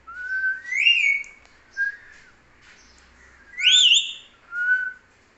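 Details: Talking pet parrot, known as mithu, producing rising whistled phrases: a slurred upward whistle, a short note, then a louder wavering whistle and a final flat tone, in a quiet indoor setting.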